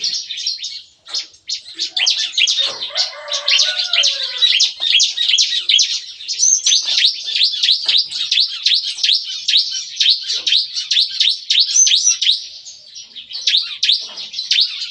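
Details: Lively nembak-nembak morning song from bar-winged prinias kept in a breeding aviary: a long, dense barrage of sharp high chirps, rapidly repeated and barely pausing, with a few lower notes early on.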